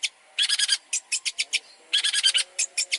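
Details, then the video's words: Long-tailed shrike training song with clusters of rough, chattering notes. Dense scratchy bursts alternate with single harsh calls in quick succession. "PANCINGAN MASTERAN BURUNG CENDET | FULL ISIAN MEWAH"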